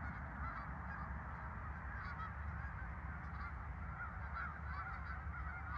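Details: Continuous crowded honking from geese kept at a farm park, 10 November 2024, many birds calling at once against a constant low-pitched hum.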